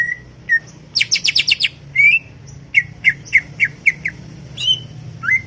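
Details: Chattering greater green leafbird heard in a garden, giving a rapid buzzy trill of about six notes, then a string of short downslurred whistles spaced roughly every quarter second, with a faint low rumble behind.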